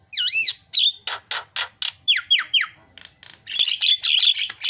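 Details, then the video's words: Javan myna song used to lure silent mynas into singing: varied phrases mixing arched whistles, downslurred whistled notes, raspy grating bursts, and a closing burst of noisy chatter. "MASTERNYA JALAK KEBO PALING MENGGODA"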